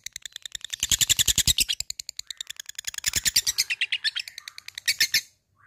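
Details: Lovebird fighter in ngetik ngekek style, calling an opponent: rapid, rattling series of sharp high notes like typing, loudest in the first two seconds, then continuing in a second burst before stopping abruptly.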